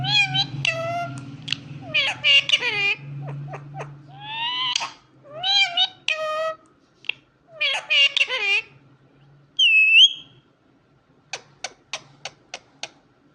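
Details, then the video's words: Talking Indian ringneck parakeet indoors: a busy stream of squawks, chattering syllables and speech-like phrases, one clear whistle, then a row of short sharp clicks, over a faint low hum. "Super Indian Ringneck Talking Parrot"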